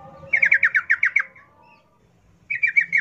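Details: Sooty-headed bulbul giving wild forest-style rapid song, a lure for captive birds; a quick run of about eight bubbly descending notes, a silent gap, then a shorter burst.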